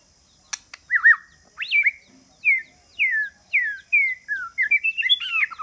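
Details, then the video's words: Decoy song of a white-rumped shama, played to lure rival birds: a series of clear, slurred whistles, mostly dropping in pitch, repeated about every half second, ending in a quick tumbling flourish; a faint steady high tone runs beneath. "Choè lửa mồi chiến shama bird"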